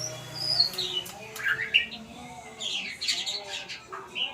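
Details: White-rumped shama learning sounds, mixing harsh squawk-like notes with high chirps and whistles in irregular bursts, with a brief low buzzing hum at the start.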